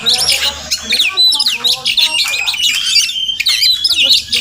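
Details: Oriental magpie-robin (Murai Kampung), a wild bird visiting a home every morning, gives quick squawks and bending whistled notes in a crowded, energetic sequence.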